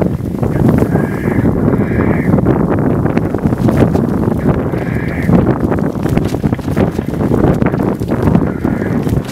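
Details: Black grouse in the heart of the Swiss Alps give a steady, low bubbling murmur throughout, with a brief higher tonal note about every four seconds.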